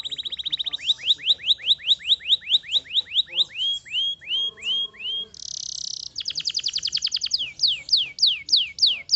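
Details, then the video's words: Canary in varied song: clear upward-sweeping whistles in series, a low rattling passage, a brief harsh buzzy burst, then quick repeated downward slurs. "bon canari .. tournez une fois que le canari sonne !!!"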